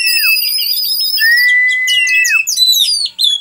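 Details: Oriental magpie-robin (kacer) singing, recorded for training other birds: long, pure, ringing whistles, one held steady for over a second before dropping, followed by quick, twittering high notes.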